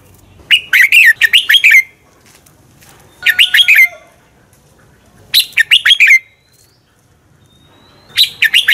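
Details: Red-whiskered bulbul fighting song used as a lure to train caged birds: short bursts of five or six loud whistled, slurred notes around mid-high pitch, phrases repeated about every two to three seconds with quiet gaps.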